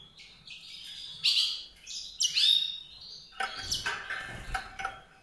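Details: Song of a white-rumped seedeater: bright, high twittering notes and rising slurs for about three seconds, followed by a softer, noisier stretch of scratchy chirps.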